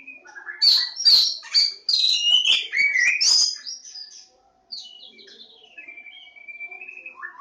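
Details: Oriental magpie-robin, Javan form (Kacer Jawa), in full song: a rapid jumble of bright whistles and scratchy notes for four seconds, then a brief pause and a softer run of thin, sliding whistles.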